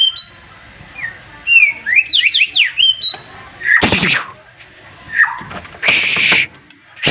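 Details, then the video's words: White-rumped shama in excited 'tembakan' song that provokes rivals to reply: high whistled slurs, a rapid series of steep rising sweeps, interrupted twice by loud harsh rasping bursts. "MURAI BATU OVER EMOSI DENGAR TEMBAKAN nya bikin lawan nya ikutan emosi dan ikutan GACOR"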